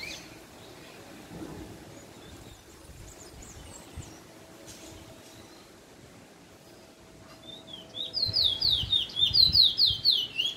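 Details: A young male Trinidad chestnut-bellied seed finch (bullfinch), starting to show black plumage, recorded 20/05/21, gives faint high notes, then a loud rapid run of sweet, sliding twitters, about two per second, in the last few seconds over soft hiss.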